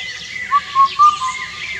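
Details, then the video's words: Indian cuckoo singing one quick phrase of four clear hooted whistles, evenly spaced with the last note falling a little, over soft twittering from other birds. "Unique Bird Calls - Indian Cuckoo"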